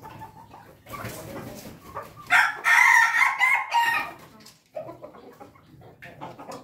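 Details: Crowing Pelung chicken: a loud, harsh, broken crow lasting about two seconds after faint clucking, then quieter scattered calls, with a low background hum.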